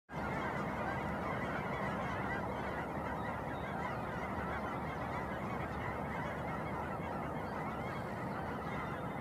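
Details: Geese massing over Shillapoo Wildlife Refuge near Vancouver, Washington, at sunrise: a dense, continuous wall of overlapping honks from a large flock, steady throughout with no pauses or single voices standing out.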